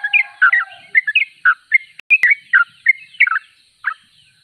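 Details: Yellow-vented bulbul (trucuk) singing lively, chattering phrases of short slurred notes in rapid succession, each burst bright and bubbly, with a single sharp click midway and the phrases thinning out toward the end.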